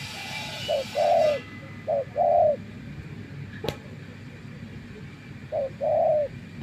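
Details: Spotted dove decoy for bird trapping gives a few quieter two-part coos, a short note then a longer mellow one, with a long gap between them. Hiss at the start and a single sharp click midway.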